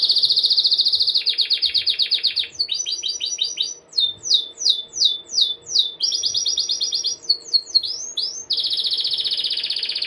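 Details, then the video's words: Canary in heavy rolling song, used as training song for other birds: long buzzy trills, some high and rapid, broken by sections of quick repeated downward-sweeping whistles, then a steady fast roll again. "Kenari Ngerol parah Pas Buat Masteran"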